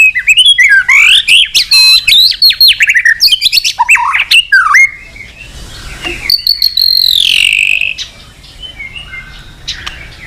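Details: White-rumped shama singing to call a rival: loud, dense bursts of varied slurred whistles and rapid trills for five seconds, then a long falling whistle and quieter distant notes.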